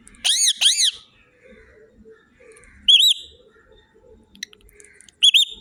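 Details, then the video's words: Parrot whistling: two loud, arched, rising-falling whistles with bright overtones, then after pauses two shorter high whistled notes, with faint low scratchy rustling between. "Tiny Whistling"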